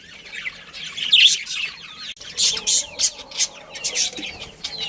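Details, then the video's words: Budgerigars kept as a breeding pair in a colony, giving a busy stream of short, sharp chirps and scratchy warbled notes, with loud bursts clustered in the second half. "Cute Budgies Chirping Sounds"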